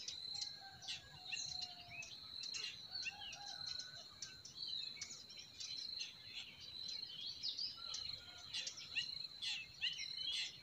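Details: Busy chorus of forest birds in spring, dense high chirps and twitters overlapping one another, with a continuous shrill insect-like buzz running beneath and a low steady hiss.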